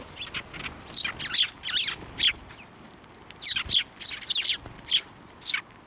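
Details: Sparrows at a Tenmangu shrine on 11 March 2024, flying onto a hand to be fed: loud, high, sharp chirps in short bursts and clusters, with brief gaps between them.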